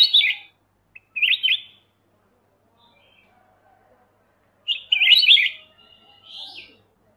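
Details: Black-crested bulbul singing: short bright phrases of quick warbled, up-and-down notes, separated by pauses of a few seconds, with a faint rising whistle trailing the last phrase.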